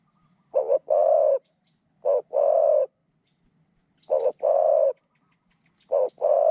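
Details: A decoy spotted dove used for catching other doves calls with a medium voice, giving four two-part coos: a brief clipped note, then a longer mellow hoot, spaced about two seconds apart, with a thin steady hiss behind.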